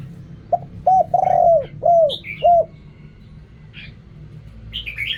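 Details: Spotted dove singing in the Thai 'riak kham, khu kham, ok rong' style: a short phrase of five mellow, hollow coos, the middle one long and drawn out, with faint higher chirps from other birds after it.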